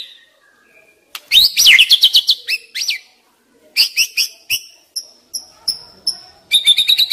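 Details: White-rumped shama singing, used to stimulate young wild birds: fast varied whistled phrases and chatters, followed by thin high single whistles spaced about half a second apart, then another rapid burst.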